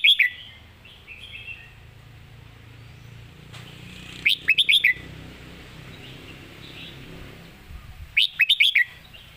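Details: Red-whiskered bulbul kept for singing contests, delivering a clearly phrased master song: two bursts of four or five fast, bright, bouncing notes about four seconds apart, with quieter twittering and rumbling background noise.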